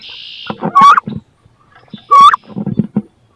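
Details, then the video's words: Wood duck females fighting over a nest box where both want to lay eggs; two loud, sharply rising squeals about a second and a half apart, separated by scraping and shuffling sounds. "CANARD BRANCHU (Carolin) 2 FEMELLES VEULENT PONDRE DANS CE NICHOIR / MOMENTS FORTS / CRIS"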